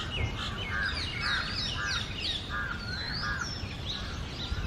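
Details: Oriental magpie-robin pair, male and female, singing early on a summer breeding-season morning, loud varied phrases mixing short scratchy notes with bright upward-sweeping whistles, faint rumble behind.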